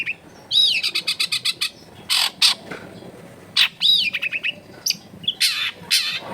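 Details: Long-tailed shrike song used to prompt a lazy shrike to sing, recorded in a crowded residential area: rapid series of short sharp chattering notes and arched squeaky phrases in bursts, with music faintly behind.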